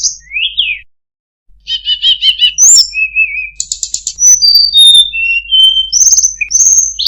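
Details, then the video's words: Melodious song of a tledekan gunung (Sunda blue robin). A rising slur is followed by a pause, then a rapid stuttering series, level whistles, and sharp high notes in quick succession. "suara burung tledekan gunung, sangat merdu cengkok bagus"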